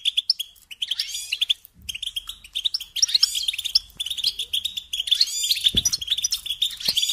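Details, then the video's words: Goldfinch singing to teach young birds: brief twitters, a pause under two seconds in, then a long fluent run of liquid chattering notes and twangy buzzes to the end, with a faint low hum. "Teaching Singing Lessons Through Goldfinch Motives"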